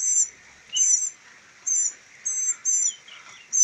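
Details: Baby northern mockingbirds, three rescued birds being readied for release, repeat sharp high-pitched squeaks about once a second, some paired, over quiet background.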